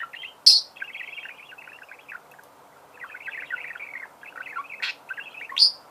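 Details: Soft budgerigar warbling: continuous thin chattering twitters with a few sharp loud clicks standing out above it.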